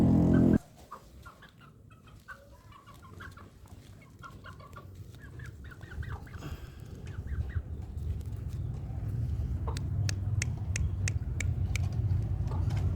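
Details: Young village chickens (ayam kampung), two months and three weeks old, give a run of soft, short chirps after a brief loud thump. Later come sharp clicking taps and a growing low rumble.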